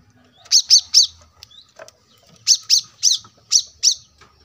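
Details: Brown-throated Sunbird singing steadily, taped at a roadside home as a tutor for cage birds: a quick group of three loud, high chirps, a pause with soft notes, then five more chirps paired and spaced evenly.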